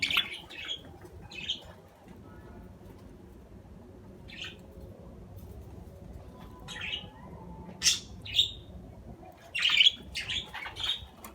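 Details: Budgerigar chirps come in scattered short bursts, with a quiet stretch in the middle and a livelier cluster of squeaky notes near the end.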